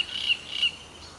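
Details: A reed warbler in green summer vegetation gives two quick, harsh, scraping high notes about a third of a second apart, with a faint hiss of background behind.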